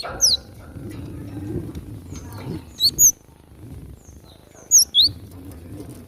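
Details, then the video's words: Wild Java sparrow during a fight, a masteran training recording: sparse high, piercing chirps, one early, then two pairs a couple of seconds apart, over a soft low rumbling background. "masteran glatik dengan suara asli alam liar tarung"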